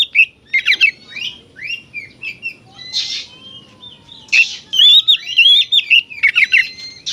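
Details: An oriental magpie-robin sings a varied song meant to rile up other magpie-robins. Rapid whistles, slurred rising notes and harsh buzzy bursts follow each other almost continuously over a soft low hum.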